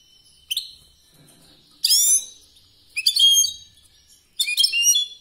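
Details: European goldfinch in competition-style song: short bursts of high descending chirps and twitters, about one every second, separated by pauses.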